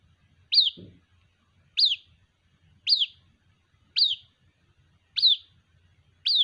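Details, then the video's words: White-breasted waterhen chick calling for its mother: six sharp, high chirps, each sliding down in pitch, repeated about every 1.2 seconds, with one brief low thump early on. "Suara anakan Burung Ruak Ruak, memanggil Induk Ruak"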